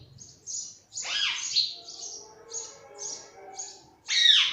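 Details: Pet green parrot, kept at home, giving loud harsh screeching calls around one and four seconds, between them a run of short high chirps repeated about twice a second.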